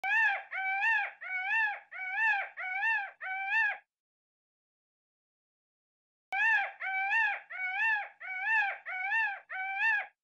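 Peacock giving loud, nasal, wailing calls in a rapid run of about six, roughly two per second, then a pause before another matching series.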